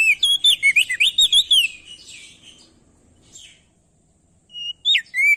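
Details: Ashy tailorbird male from Nusa Tenggara singing a loud lure song to prompt other birds to sing: a fast burst of bright, up-and-down whistled notes, a quieter stretch with faint rustling, then a few clear slurred whistles.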